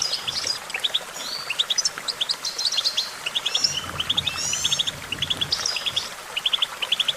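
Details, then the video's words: Goldfinch song made of lively high twitters: repeated short chirps come in quick clusters of two to four, mixed with buzzy slurred phrases over a soft noisy background. "Vocal virtuoso: activating enhancing your goldfinch songbird prowess"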